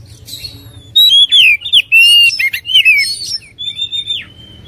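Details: Oriental magpie-robin singing: after a quiet start, loud, clear whistled phrases mix rising and falling slurs with fast twittering notes, ending in a drawn-out level whistle.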